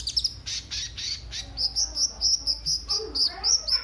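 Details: Sunbird song used as a lure and tutor recording to make other birds sing: sharp high chips, then a run of thin, rapid high notes repeated several times a second, with a few lower twitters near the end.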